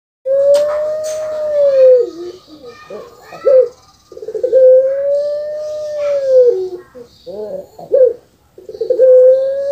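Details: Kept puter pelung dove cooing: a short note, then a long steady drawn-out tone of about two seconds, followed by brief broken notes, repeated twice, with a child's voice in the background.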